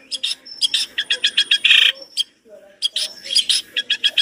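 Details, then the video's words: Long-tailed shrike singing non-stop with a full, rich repertoire: fast repeated buzzy, chirping notes, a short dense burst, a brief break, then another rapid string of sharp high notes. "Masteran cendet gacor dor isian mewah materi komplit"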